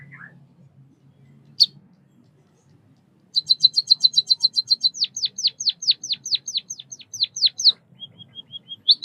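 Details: White-headed munia (Lonchura maja), Southeast Asian songbird: after a quiet start and one isolated chirp, a rapid series of high chirps leads into a long run of steeply descending whistled notes, then soft thin high tones.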